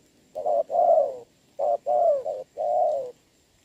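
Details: Spotted dove decoy bird cooing in the rain, facing a wild dove, recorded 26 November 2022: soft, low, hollow coos in short phrases, a clipped note followed by longer drawn-out coos, repeated three times.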